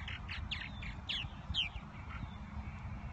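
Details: Purple martins showing nesting behaviour in spring at Irving Park and Lake Michigan, Chicago: a handful of scratchy, down-slurred chirps early on, then quieter, with steady low background rumble.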